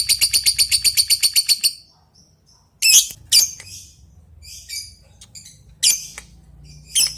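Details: Lovebird giving a long "ngetik" call to summon a rival: a rapid, even series of about fifteen sharp ticking chirps, then silence, followed by scattered loud shrill squeaks and short chattering bursts; low hum throughout.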